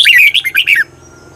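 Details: Red-whiskered bulbul, Thai cage-bird training recording in the doubled 'bearn' style: one loud, quick phrase of four or five liquid, falling whistles, under a second long, then silence.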